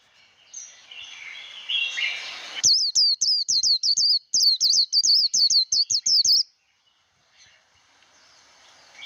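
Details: Japanese white-eye in 'líu đấu' fighting song, recorded to train a wild-caught bird: low twittering, then nearly four seconds of loud, rapid, high looping whistles, then near silence with faint chirps.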